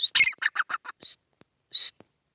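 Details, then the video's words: Grey francolin (teetar), apparently a kept bird in a field, gives a quick run of harsh, high, clipped notes that fade, then after a pause one louder, drawn-out squawk. "Teetar Ki Awaaz | Teetar ka Pair | Teetar sound"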